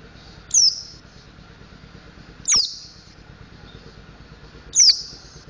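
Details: Three evenly spaced, sharp, high downward-sliding notes about two seconds apart, each followed by a thin buzz, from a mountain white-eye learning ngriwik and ngeplong singing.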